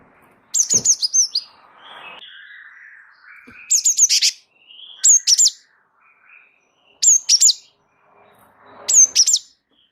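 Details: Java sparrow of the wingko type singing vigorously in a rolling style: short bursts of high, sharp clicking chirps and ringing notes at intervals of about two seconds, with softer lower warbles between them.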